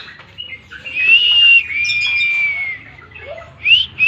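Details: Oriental magpie-robin (kacer) in tembakan song: a long, sustained whistled note that slides gently downward. Brief chirps and softer notes come before it, and sharp rising whistles follow near the end.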